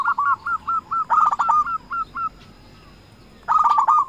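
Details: Perkutut, the zebra dove, a local bird calling rivals: a string of regularly spaced cooing notes that turns into a rapid loud burst, a short pause, then another fast burst.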